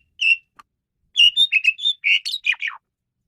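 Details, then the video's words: Asian pied starling kept as a tutor bird for training songbirds, delivering a single note, then a rapid run of about ten loud chattering, whistled and slurred notes, rising and falling. "Ocehan Burung Jalak Suren"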